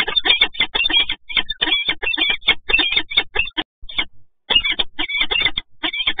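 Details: Rhythmic electronic music with dense, pulsing beats and a brief break near the four-second mark, with no animal sound heard.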